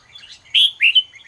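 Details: Morning song of a red-whiskered bulbul, used to rouse other bulbuls. A single short phrase of two loud, clear whistled notes follows a soft warble.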